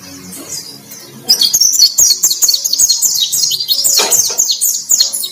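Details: White-breasted white-eye in energetic, vigorous song: after a quiet start, a dense, continuous stream of high, rapid chirping and twittering notes pours out, some sliding downward, with a few fluttering sounds.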